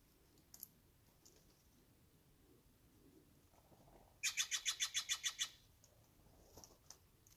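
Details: At Angelus Oaks, California, a Steller's jay gives a quick run of about nine harsh, scratchy shack notes over a second, with a few faint chips before and after.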